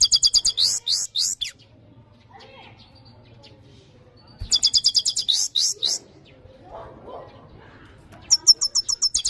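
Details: European goldfinch in full song: bursts of rapid, bright, high buzzy notes in bouts of about one and a half seconds, separated by quiet gaps with faint lower twittering.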